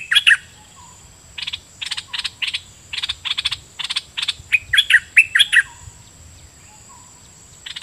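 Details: Decoy red-whiskered bulbul calling at wild birds: bubbly whistled notes open and close the clip, with a steady series of dry, buzzy chattering bursts repeating between them.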